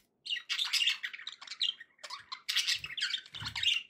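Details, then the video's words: Happy budgies giving loud, continuous raspy squawks and buzzy warbles, almost unbroken for over three seconds, with faint low thumps underneath. "happy budgie sounds"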